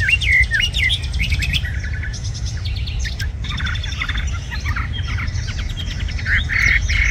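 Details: Red-whiskered bulbul, a tame bird said to sing very well, delivers varied bright whistled phrases mixed with chattering notes, with steady low background noise throughout.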